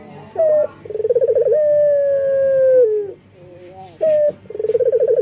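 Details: Male collared dove in breeding condition calling for a female: low, hollow coos of short clipped notes, a rapid rolling purr, then a long, slowly falling drawn note, repeated after a brief pause.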